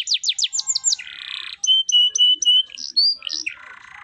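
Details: Canary singing 'gacor' with 'cengkok mewah' variations: quick down-slurred notes, a buzzy harsh rattle, a series of short bright whistles on one pitch, rising and falling twisted notes, then another buzzy phrase.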